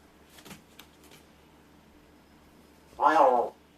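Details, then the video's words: A rescued Large-billed crow kept indoors practises its voice while its owner pretends to sleep. A few faint soft sounds come first, then one loud, harsh, warbling call of about half a second near the end in a quiet room. "お喋りの練習でおはよう、ご飯、謎の言葉 発声練習と鳴き声"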